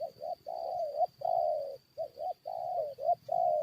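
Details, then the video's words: Close, loud spotted dove coos in a decoy fight with wild birds: short clipped notes alternating with long smooth croos in quick succession, barely pausing. "PIKAT FIGHT DENGAN BURUNG HUTAN"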